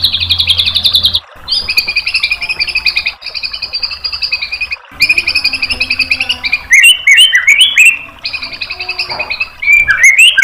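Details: White-rumped shama tutor song to provoke a bird into replying: long runs of fast high buzzy trills broken by short gaps, ending in sweeping whistles and scratchy chatter.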